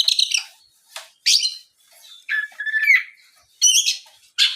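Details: Magpie-robin lure song meant to make other birds of its kind sing back: scratchy buzzy bursts alternating with short slurred whistles, with uneven pauses between phrases.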